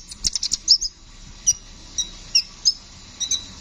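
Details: Brown-throated sunbird, known locally as kolibri ninja, singing energetically in rolling style: a quick burst of four or five sharp high chips, then spaced single bright squeaky notes at roughly half-second intervals.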